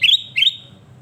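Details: Sooty-headed bulbul (kutilang emas) gives two clear, bright whistled notes, each rising then level, about a third of a second apart, followed by fading quiet.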